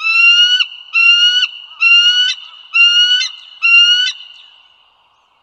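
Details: Bald eagles on the Dulles Greenway in northern Virginia, USA, 16 April 2022 at 08:55. Five strong, slightly rising whistled notes with bright overtones repeat under a second apart, then fade, with a steady high tone behind them.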